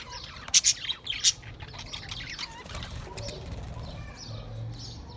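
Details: Budgies on 28 April 2023 give a few loud, piercing chirps in the first second and a half, followed by softer, scattered twitters over a steady low hum.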